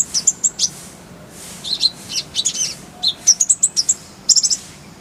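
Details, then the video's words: Oriental white-eye (konin) on a tutor recording shared with kolibri ninja, giving a lively run of short, high, twittering chirps that vary slightly in pitch and come in loose bursts. "Masteran Konin_Kolibri Ninja Bahan Agar Cepat Gacor Suara Jernih"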